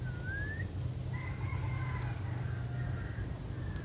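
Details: Female Oriental magpie-robin used as a lure, calling to draw males in: a thin rising whistle, then two longer, level, high whistles. A steady high electronic tone and low hum run throughout.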